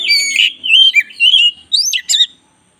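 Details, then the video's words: White-rumped shama, black-breasted form, singing a loud varied song for training other birds: rich whistled phrases sliding between pitches, some buzzy notes, then sharp rising and falling whistles before silence. "10 menit masteran kacer dada hitam GACOR"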